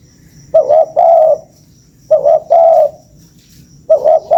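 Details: Spotted dove lure coos: three phrases spaced about 1.7 seconds apart, each opening with short clipped notes and ending in a rounded, sustained low coo; background otherwise quiet apart from a faint high tone.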